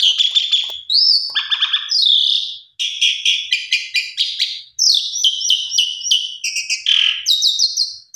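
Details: A pied myna's varied song, played so caged mynas that have stopped singing will sing and show their repertoire. Bright buzzy notes repeat in quick runs, mixed with sliding whistles and short rasping phrases.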